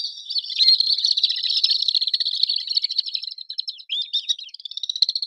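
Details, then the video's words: Swift calling: a continuous run of high, thin, buzzy chirps and screechy trills, fluttering steadily with brief pauses, as from several birds. "SONIDO DE VENCEJO"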